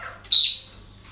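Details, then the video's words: Single parrot at a breeding centre giving one loud, harsh, high squawk lasting about half a second. "Relajación Loros En El Centro De Cría"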